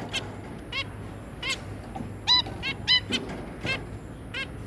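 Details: Zebra finches, two parents and three juveniles, producing scattered short nasal beeps and harmonic honks at irregular intervals over a faint constant hum.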